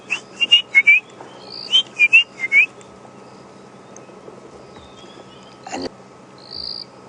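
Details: On an afternoon safari drive at Djuma Game Reserve, South Africa, on 10 March 2016, white-browed scrub robins call in the background near water after rain: a quick run of clear, slurred whistles, about eight notes in under three seconds, then a faint hum and a brief insect buzz.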